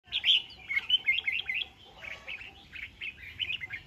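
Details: Red-whiskered bulbul, a displaying decoy bird, sings a quick run of bright, warbled, slurred notes packed closely together, then a slightly softer second phrase of similar chirpy notes.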